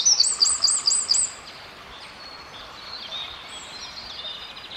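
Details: A wren chirping in the forest: a loud, very high, rapid trill of looping notes lasts just over a second, then fainter high twittering continues over a steady background hiss.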